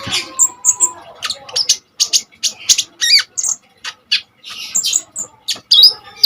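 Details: Common iora singing hard as a tutor for kolibri ninja birds; varied squeaky chirps, buzzy trills and a quick descending whistle in dense bursts.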